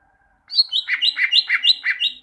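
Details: Greater green leafbird, song for training birds to sing: a rising whistle leads into a rapid rhythmic series of about seven doubled notes alternating between high and lower pitch.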